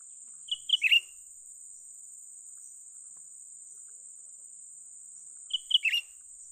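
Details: Young cucak ranting bulbul heard while being trapped. It gives two rapid phrases about five seconds apart, each of a few sharp high chirps ending in a warbled flourish, over an unbroken thin high whine.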